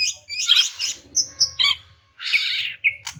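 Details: Greater green leafbird female calling a male, meant to make a silent male answer: harsh squawky chatter, quick clear whistled notes, then a broad rasping burst and a short whistle, with faint low hum behind.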